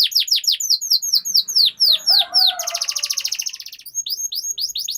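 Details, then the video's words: Canary 'ngerol' master song: evenly spaced high down-slurred whistles, then a long fast buzzy roll, back to descending notes, with faint low murmurs beneath. "Suara Pancingan Burung Kenari Agar Cepat Gacor dan Ngerol, Masteran Suara Kenari Ngeroll Panjang"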